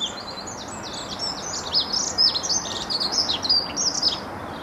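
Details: Several songbirds, possibly including sparrows, goldfinch and robin, sing at once at Bedhampton Railway Station: a busy chorus of high, quick chirps and twitters over a steady low hiss.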